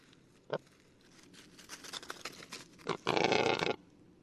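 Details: Male Western capercaillie singing in a Lithuanian forest, a red-listed species: a few sharp dry clicks, a run of quicker ticking, then a loud hissing, scraping burst lasting under a second.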